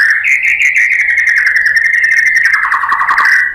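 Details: White-rumped shama song played to provoke rival shamas into singing, heard as one continuous, very fast trill held at an even pitch throughout.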